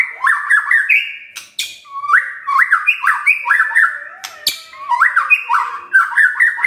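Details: White-rumped shama singing in the morning, used to provoke a silent shama into song: rich whistled phrases with rapid up-and-down notes, repeated in short bursts, broken by sharp clicks.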